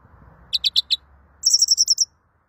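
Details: Greenfinch song fragment: four evenly spaced chipping notes, then a fast, very high rolling trill of about ten notes that stops abruptly.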